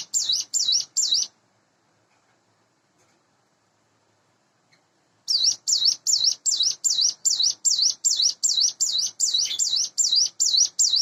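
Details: Sunda bush warbler, a hand-reared cage bird roughly eight months old, in the morning: a few rapid high whistled notes, four seconds of silence, then a long steady train of identical dipping notes.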